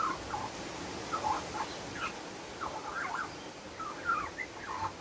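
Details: A young Australian magpie, being hand-fed worms on a windy day after its parent flew off, practises singing soft, wavering warbled phrases, rising and falling, in short bursts every second or so against faint hiss.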